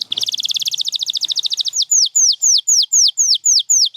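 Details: Champion canary singing: a very rapid high trill of repeated notes for nearly two seconds, then a slower run of clear downslurred whistles at about four per second.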